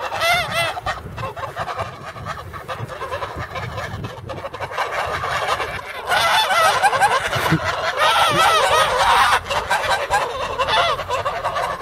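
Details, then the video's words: Guardian geese kept instead of dogs on a property in Poland, loudly warning of strangers: dense, harsh nasal honks from several birds, overlapping and repeated rapidly, louder and more frantic in the second half. "Guardian geese"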